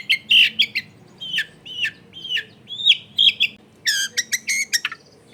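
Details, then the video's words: Long-tailed shrike singing a lively lure song recorded at home in a crowded neighbourhood, meant to set other shrikes singing: short whistled and slurred notes, then a run of harsh, rapid chattering bursts near the end, over a faint low hum. "SUARA CENDET GACOR PIKAT AMPUH BIKIN BURUNG CENDET LAIN LANGSUNG ON DENGAN MUDAH NYAUT GACOR DOR"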